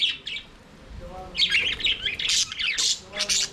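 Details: Budgerigars singing and playing in their aviary: a flock's busy warbling chatter of buzzy squawks and chirps, bursts coming in irregular clusters after a quieter start.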